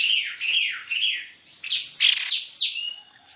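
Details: White-necked babbler, played as a lure to attract birds: a dense run of clear, sweeping whistled notes, many sliding downward, overlapping one another with brighter bursts near the middle before fading out.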